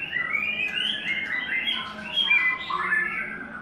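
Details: Continuous tumbling song from a third-molt white-rumped shama: overlapping whistles and warbles, rising and falling quickly, with scratchy accents among the clear notes.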